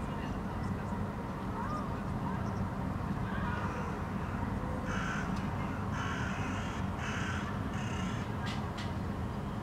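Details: Hooded crows perched on a city rooftop in Helsinki, Finland, August 2013, some calling while observing their environment: a run of about four harsh, broadband caws in the latter half, over constant low-pitched background rumble.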